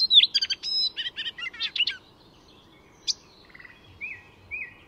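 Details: Icterine warbler singing at Fysingen reserve north of Stockholm, Sweden, a master mimic weaving other species' calls into its song: a rapid burst of varied high chirps and buzzy notes, then a pause and two clear slurred whistles.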